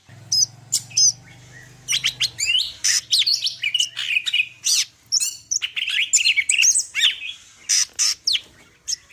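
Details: Greater green leafbird of the Medan type giving a full varied song, loud clear whistles followed by a long dense run of mixed chattering, slurred and trilled notes, with a faint low hum beneath.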